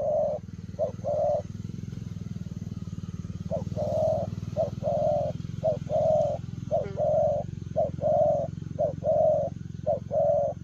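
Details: Spotted dove cooing 'lèo rồng' style as it runs. Repeated short-long coo pairs in a steady rhythm, about one per second, over a constant loud low droning hum.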